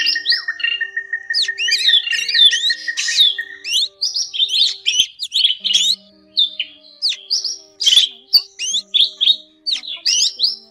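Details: Lure recording of drongos for night net trapping. It opens with a long rapid beaded trill under busy whistles and chatter, then continues with rhythmic high chirps and harsh clicks repeated roughly twice a second.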